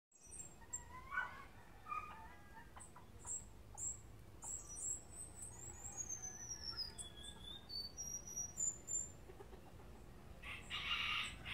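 A seedeater sings a fast, varied run of high, thin whistles that slide down and up, ending in a brief buzzy burst; a faint low hum sits underneath.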